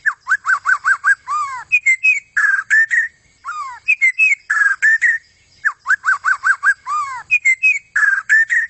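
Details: A vigorously singing long-tailed white-rumped shama repeats a phrase of about five quick downslurred whistles plus a looping whistle and rich warbled notes, delivering it again and again with short pauses.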